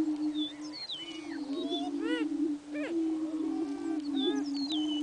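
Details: Greater prairie chickens displaying on a lek at Buena Vista Marsh, 4/21/07: a low droning boom under repeated whooping calls, laddered cackles and higher thin whistled notes from many birds at once.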